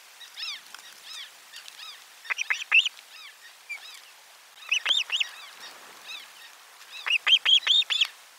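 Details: Lunchtime fish delivery at osprey nest 4, 12 July 2022. Excited whistled calling in bursts: quick clusters of three to five sharp arched chirps separated by softer repeated notes.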